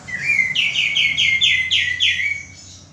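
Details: A male common iora, recorded for use in training cage birds, gives one phrase: a rising whistle leading into about six fast, loud, slurred whistled notes, then a softer fading end.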